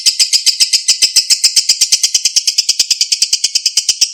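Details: Lovebird delivering its long ngekek chatter, meant as a prompt so that silent lovebirds sing back. Buzzy, harsh notes, about seven a second, keep an even, unbroken rhythm.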